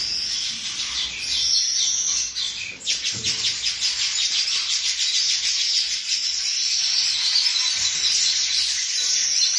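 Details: Baya weaver, known in Bengali as Babui, nesting in a coconut tree: dense, continuous high chattering and wheezy buzzing, with rapid repeated notes overlapping steadily throughout, briefly dipping near the third second.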